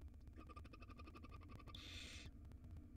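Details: A tiny wild barn owl nestling in a monitored nest box, swallowing a rodent's tail, gives one harsh, breathy hiss of about half a second over a steady low electrical hum and faint ticking.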